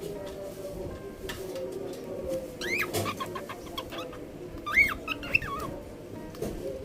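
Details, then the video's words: Pet cockatiel interacting with its owner, giving short sweeping chirps around the middle and two sharp rising-falling chirps near the end over steady background music. "ককাটেল পাখির কথা বলা। গান করা। শিশ দেওয়া।কথা বলা ককাটেল পাখি।cockatiel talking with his owner mom."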